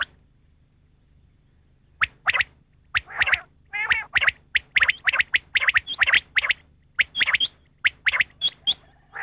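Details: Female rain quail call played for hunting: a rapid series of sharp, high, scratchy notes repeated roughly every third of a second after two seconds of silence, with a faint low hum underneath.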